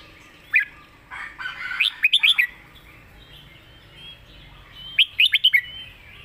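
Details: Red-whiskered bulbul in a phleng mae bot, or master song: a brief warbled lead-in, then a fast run of four sharp, rising-falling whistles, a pause, and another matching quick burst.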